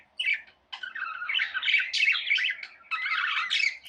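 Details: Tamed pet budgerigars chirping indoors: busy, scratchy warbled chatter with squawky notes, rapid overlapping chirps in a nearly continuous stream after a short opening burst and brief pause.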